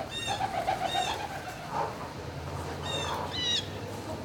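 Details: Barn turkeys on 26 March 2019, near midday, give a rapid run of short, evenly spaced notes, then a longer drawn note and two high, bright calls, over a steady mechanical hum.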